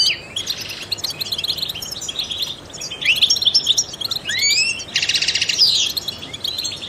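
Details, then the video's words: Song of a trained European goldfinch, meant to stimulate other songbirds: twittering phrases mixed with rising whistled slides and a loud, dense buzzy trill near the end. "goldfinches chirp to stimulate songbirds"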